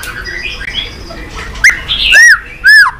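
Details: White-rumped shama, described as excited and many-voiced, with clicking tail-flick calls, used to stimulate and train birds: a faint murmur, then a sharp click and two loud arched whistles near the end.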